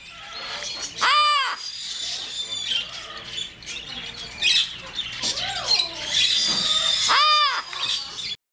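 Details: Pet yellow-naped amazon giving two loud, harsh, arching caws several seconds apart, with softer squeaky and croaking notes in between, against constant background hiss.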